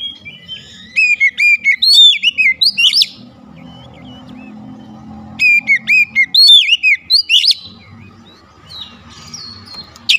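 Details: Therapy recording meant to get a silent white-rumped shama singing: two bursts of fast, loud, varied whistled phrases with sharp upward sweeps, separated by a quieter pause with low background hum.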